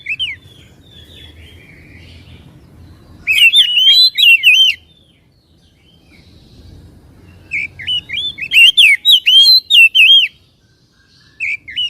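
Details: A white-rumped shama sings to rouse a caged bird into singing and tail spreading: repeated bursts of fast, loud, twisting whistled notes, each lasting about a second or two and separated by quiet spells.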